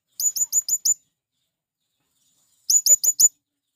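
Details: Male blue-crowned hanging parrot calling wild birds to join it, giving a fast run of five thin, high-pitched chirps, a pause of nearly two seconds, then four more.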